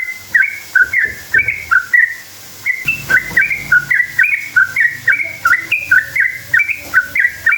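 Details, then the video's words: Sooty-headed bulbul, rolling lure song for drawing answers from other bulbuls: a few bubbly notes, a short gap near three seconds, then a busy run of rising and falling whistled notes. "Trucukan gacor ropel panjang buat PANCINGAN trucuk agar bunyi jadikan burung trucuk NYAUT EMOSI"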